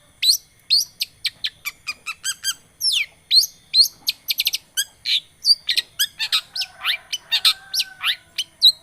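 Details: Long-tailed shrike lure recording, used to prompt a silent bird into full song: a dense, varied run of sharp high chirps, whistled slurs and buzzy notes, delivered rapidly with very short gaps and no other sounds.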